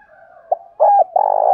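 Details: Spotted dove call used to provoke decoy birds to fight. A brief clipped note is followed by loud, steady, husky cooing at low pitch, with faint background dove coos throughout this short fragment.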